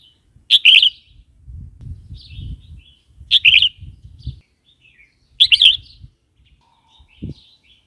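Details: A red-whiskered bulbul sings three loud, bubbly whistled phrases, one every two to three seconds, with softer warbling notes between and a low rumble underneath. The recording is meant for luring and training caged bulbuls.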